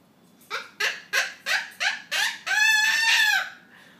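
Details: A Triton cockatoo that learned to laugh, and joins in when its owners watch comedy, gives six harsh, quick 'ha' bursts, about three per second, then a long, raspy, cackling screech like a witch's laugh.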